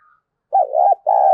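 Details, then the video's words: Spotted dove calling as a lure, in the thúc bổi style: a wavering low coo, a brief gap, then a steady second note cut off by a sharp click. "tiếng cu gáy gọi mồi và thúc bổi sung"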